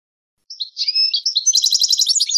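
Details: European goldfinch song used to tutor young goldfinches and hybrids: slurred high whistles lead into a rapid, buzzy, tinkling trill of evenly repeated twittering notes, clean and with no other sounds.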